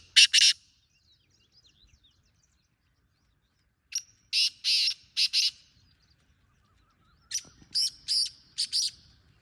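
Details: Repeated harsh calls of a wild black francolin: an opening rasp, then two phrases of four to five grating, buzzy notes several seconds apart in otherwise quiet surroundings.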